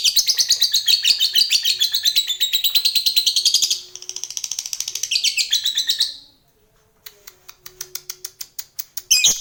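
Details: Contest laughingthrush, a candidate champion bird, giving a long fast rattling chatter of rapid high notes for about six seconds, a short pause, then a rising series of sharp ticking clicks.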